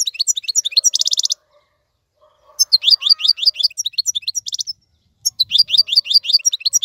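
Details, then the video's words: European goldfinch singing a tutor song for teaching young birds: rapid bursts of high tinkling twitters and buzzy trills, broken by two short pauses, then the twittering resumes. "افضل مقنين لتسميع الفراخ. مقنين جميل جدا لتعليم الفراخ"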